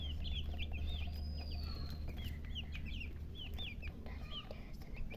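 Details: Chicks chirping busily, roughly three to four shrill, curved peeps per second in an irregular chorus, with a low droning hum in the background.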